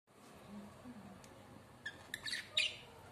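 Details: Pair of pet budgerigars showing affection toward each other; after a quiet start, a few short, sharp chirps and squawky notes burst out in the final second and a half over a faint low hum.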